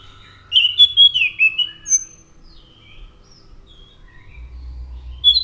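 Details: Orange-headed thrush giving a short phrase of bright whistled, slurred notes that trails off into quiet, with a few faint notes and a low rumble near the end.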